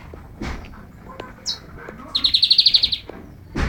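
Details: Bengalese finch singing while perched on a person's hand: a quick run of about ten buzzy, rasping notes repeated evenly in under a second, preceded by a brief sharp high note, with faint handling noise.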